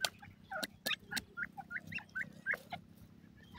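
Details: Francolin, locally gharwal teetar or buda partridge, uttering a series of brief upward-inflected chirps at about three per second, preceded by a few sharp clicks, over a steady low hum.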